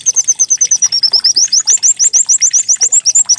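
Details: White-eye lure song, said to resemble a canary, to encourage singing: a continuous, even series of sharp, very high chirps, about six per second, steady in rhythm throughout.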